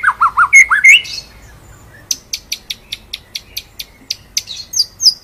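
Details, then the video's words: White-rumped shama (murai batu) for masteran training, full ngerol and nembak: opening lower fluting whistled notes, then a series of crisp, high, clicky notes repeated several times per second, ending in upslurred squeaks. "MASTERAN MURAI BATU FULL NGEROL NEMBAK SUPER EDAN!!"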